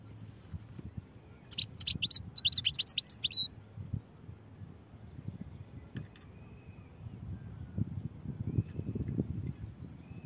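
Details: European goldfinch singing a rapid run of high, jingling twittered notes for about two seconds, followed by sparse faint clicks and thin short whistles over rising low background noise.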